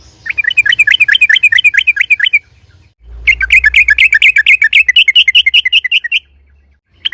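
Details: Two long runs of fast, bright chirping notes from a yellow-vented bulbul, in loud ropel-style lure song used to make other bulbuls respond; a brief third note at the end.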